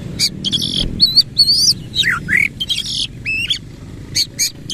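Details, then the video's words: Oriental magpie-robin singing with its tail opened, 'nembak ngerol' style: buzzy rattling bursts, bright rising whistles and a swooping dipped note, packed closely together in a lively, almost unbroken run. "KACER GACOR NEMBAK NGEROL FULL BUKA EKOR"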